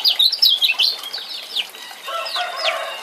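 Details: Male lemon-bellied white-eye of the Lombok type, played as a lure to make a silent male sing again: quick, high, sharply falling chirps in a dense burst, then softer slurred notes with a lower warbling layer underneath.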